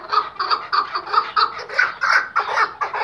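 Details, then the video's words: Tethered Iraqi white chukar partridge kept as a hunting decoy, calling: a fast run of harsh, clucking chuk notes, about five or six in three seconds, loud and insistent, mid-high in pitch. "AV KEKLİĞİ partridge | EN GÜZEL KEKLİK HENGAMESİ"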